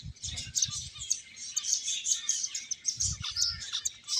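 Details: Finches playing together fill the air with bright, high-pitched tweets and short twittering bursts, tightly overlapping, with brief low thumps near the start and again toward the end.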